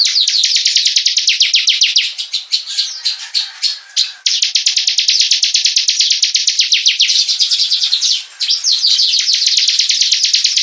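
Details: Energetic bar-winged prinia song for training other birds, made of dense streams of high, clipped chirps repeated about three times a second, broken by short gaps and a few longer slurred notes.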